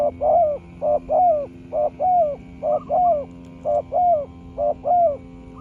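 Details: Spotted dove in a long cooing duel with a small-voiced wild rival, the two trading calls in turn; paired notes, a short hoot then a longer falling coo, repeated about once a second, six pairs, over a faint steady hum.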